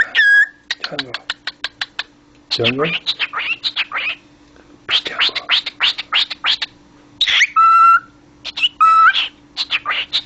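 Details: Talking pet cockatiel producing long runs of rapid clicking, chattering syllables, with held flat whistles and rising notes later on. Lower, human-like laughing sounds break in twice.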